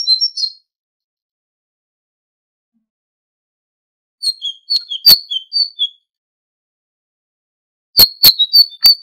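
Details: High tit notes from a tutoring tape for goldfinches: a short opening phrase, then a series of thin whistles broken by sharp click-like strokes, and a final quick cluster of clicks and notes.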